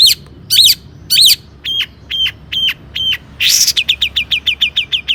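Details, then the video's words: Long-tailed shrike in full, energetic song packed with imitated phrases, meant to provoke other shrikes to sing: harsh scratchy bursts, then evenly spaced clear whistled notes, a loud rasp, and a rapid series of short high chirps. "Kicau cendet gacor FULL MATERI MEWAH,, BUAT PANCINGAN CENDET AGAR BUNYI"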